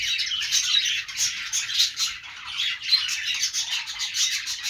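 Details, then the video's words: Budgerigars produce a harsh, squawky chatter mixed with thin high chirps, delivered in quick rhythmic pulses, with louder clusters near the start and middle. "budgies sounds | parakeet chirping sounds |Australian parrot sounds"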